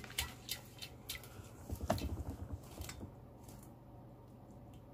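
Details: Wet squishing, dripping and clinking in a small indoor room, with brief murmured speech and no animal voice.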